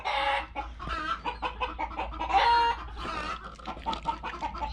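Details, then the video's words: Chickens clucking and squawking in a busy, overlapping chorus of short harsh notes, very vocal that day, with a person talking over them. "Yeah, as you can hear, the chickens are very vocal today. It's actually driving me mad."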